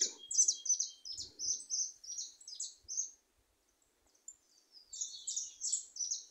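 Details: Goldfinches free in a small wooded patch deliver a lively, high-pitched, scratchy warble of quick repeated notes, pausing briefly before another tinkling burst.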